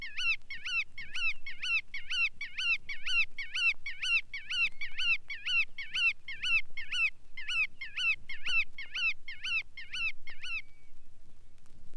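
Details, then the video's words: Bar-tailed Godwit repeating harsh, nasal up-and-down notes in a rapid even series for about ten seconds, with a couple of tiny gaps, before stopping into near silence. "Малый веретенник"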